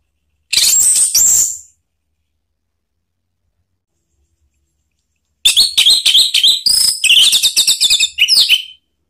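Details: Orange-headed thrush song used to provoke other birds into singing: a short burst of rapid high chirps, a pause of nearly four seconds, then a longer run of sharp, quickly repeated notes and slurred whistles.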